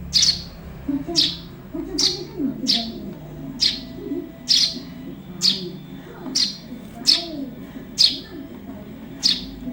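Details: Young Eurasian tree sparrow calling for songbird training: a steady series of shrill, sharp chirps, about one a second, each brief and high, with a soft low rumble of background chatter underneath.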